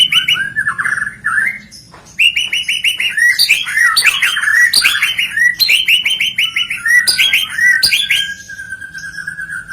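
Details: White-rumped shama song: a series of rapid repeated whistled notes, then a quiet gap, followed by lively mixed phrases of trills, slurred whistles and sharp clicks, delivered loudly and without pause.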